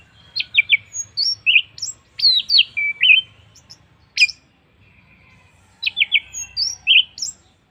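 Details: Orange-headed thrush song used as a lure to get other birds singing: bright whistled phrases of quick rising and falling notes, delivered in bursts with short pauses, one sharp high note standing alone mid-way.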